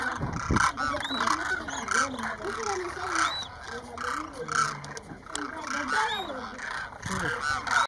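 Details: About 2,500 demoiselle cranes at Keechan, Rajasthan, India, in January 2016, flying overhead and coming in to drink at a small lake; a dense chorus of overlapping rolling, trumpeting calls continues without a break, with a few human voices mixed in.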